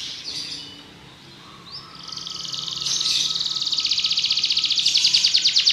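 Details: Belgian canary singing: a faint high warble, then from about two seconds a rising sweep into a fast, steady trill of rapid high notes that grows louder toward the end.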